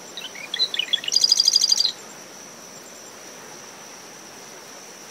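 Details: Marsh wren singing at dawn from dune shrubs around its nest, after tropical depression Claudette, recorder ten meters from the high tide line: scattered chips lead into a fast buzzy rattle. Steady high cricket tone, wind and waves behind.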